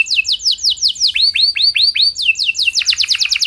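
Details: Singing canary meant to trigger other canaries: crisp downward-swept notes, several slower arched whistles, then the rhythm speeds up into tight repeated sweeps.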